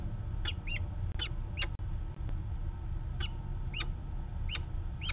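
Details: A mother Peregrine falcon flies to a rooftop in Manchester, New Hampshire, on 13 August 2018. She gives short, sharp, downslurred calls, often in quick pairs, repeated every second or so over a steady low rumble of city noise.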